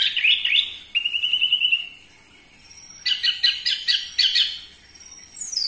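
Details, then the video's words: Orange-headed thrush song used to provoke captive birds to sing: quick bright whistled phrases, a steady trill near the middle, then clusters of sharp high notes with brief pauses between. "Pancingan Burung Anis Merah Cepat Teler Suara Kenceng"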